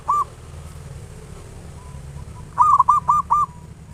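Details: A local zebra dove with a loud voice sings as a lure to prompt other doves to sing. One lone hooked coo is followed by a long quiet gap, then four quick cooing notes in a row.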